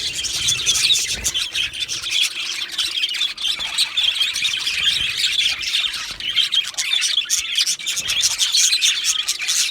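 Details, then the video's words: Steady, scratchy chatter of two male Australian budgies, quick chirps and grating squawks running without a break for the whole stretch. "2 Male Budgies Birds Sounds | Australian Budgies Birds chirping sounds"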